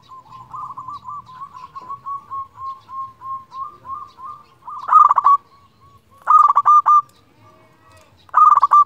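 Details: Zebra dove of local stock calling rivals, used as a lure: a long series of soft, even cooing notes, then three loud rolling trilled coos about a second and a half apart.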